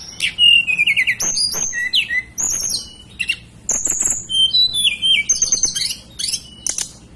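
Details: {'caption': 'Native hill blue flycatcher from the Banten and West Java mountains in Indonesia sings a busy, continuous stream of sweet high whistles, quick trills and downslurred notes, phrases following each other almost without pause.'}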